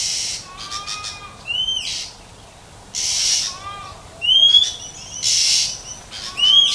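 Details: Wild female Oriental magpie-robin in nature, calling to stimulate males. Clear upslurred whistles alternate with harsh, hissing rasps about once per second, with some short descending whistled notes between them.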